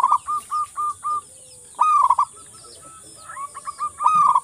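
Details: Local zebra dove song played to stir quiet doves: a few short even coos, then a dense rolling burst, softer scattered notes and another rolled phrase; constant faint hiss behind.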